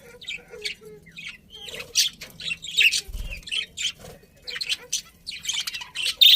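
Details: Budgies give bright, scratchy chirps and short squawky notes in uneven clusters, rising to louder bursts toward the end, over a soft low background hum.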